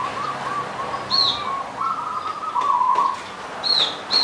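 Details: Singing local Punden zebra dove on Mount Slamet's slopes, Banyumas: rippling, bubbling trilled coos run almost continuously at a steady mid pitch. Another bird adds sharp, high, slurred chirps three times.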